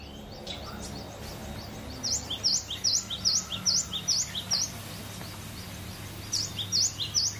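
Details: Cinereous tit singing in a relaxed, free-flowing way: sharp, clear two-part whistled notes, each a quick down-up stroke, repeated about every quarter second in an even run of seven phrases, then a pause and a second short run, over a steady low background hum.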